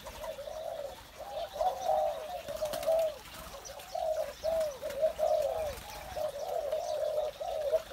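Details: Morning cooing of spotted doves, several birds overlapping in rolling, throaty phrases that swell and fade every second or so, with faint chirping behind.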